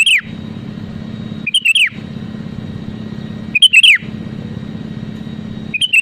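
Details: Singing sooty-headed bulbul (kutilang), used to challenge rivals into song: four loud, clear whistled phrases of fast slurred notes, each dropping at the end, spaced about two seconds apart over a steady low-pitched drone.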